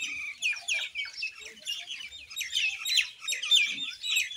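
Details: Common Indian myna calling amid a busy chorus of high, overlapping chirps and short squeaky notes, with a few harsher lower squawks near the middle and end.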